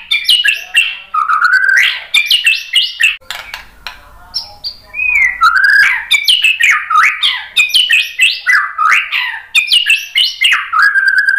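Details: White-rumped shama song used to stir other shamas into answering: loud, rich and varied phrases of rapid, slurred whistles and chattering notes, repeated with little pause, one brief lull in the middle before the full song resumes.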